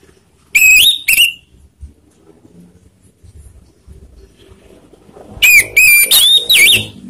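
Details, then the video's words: Orange-headed thrush, a lure song meant to provoke rival birds: two loud whistled notes near the start, a pause with faint low noise, then a rapid burst of four or five sharp, slurred whistles at the end. "pancingan anis merah bikin emosi lawan"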